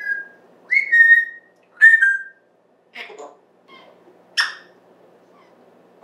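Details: Indoor pet African grey parrot talking up a storm, September 14, 2024: two clear level whistled notes, then softer speech-like syllables and a sharp bright chirp, sounds spaced roughly a second apart in a quiet room.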